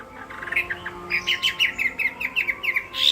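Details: Chinese hwamei singing in a contest: a quick chattering run of short whistled notes, about a dozen in three seconds, ending in a louder burst.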